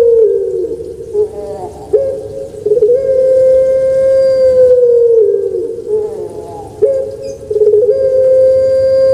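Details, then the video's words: Captive puter pelung dove kept in Indonesia, a bird famous on Java, repeating drawn-out resonant coos, each opening with a quick upward break and stretching into a steady tone of three or four seconds. "Suara Merdu Menggema //Puter Pelung"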